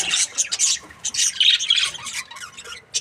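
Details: Breeding pair of budgerigars, described as happy, giving quick strings of sharp, buzzy high chirps and squeaky warbles with almost no pause.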